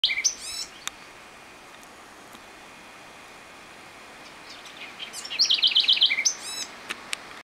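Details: Bird song recorded at Miraflor; brief high chirped and trilled phrases at the start and again near the end, with a quick buzzy series of rapid notes, over steady faint background hiss.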